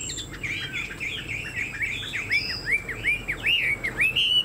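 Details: Chinese hwamei, a caged bird with a spread tail and a tall posture, singing a fast stream of slurred whistles that settles into repeated rising-falling notes about four per second, ending on a higher held whistle.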